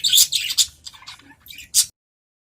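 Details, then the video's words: Adult budgerigars in a cage answering one another: a dense burst of shrill, buzzy chirps, then softer warbled notes and a final sharp squawk before silence. "Suara Merdu Burung Parkit Dalam Sangkar"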